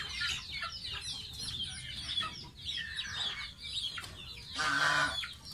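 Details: Young pet domestic goose at bath time: continuous high twittering chirps, then one strong, harsh honk near the end.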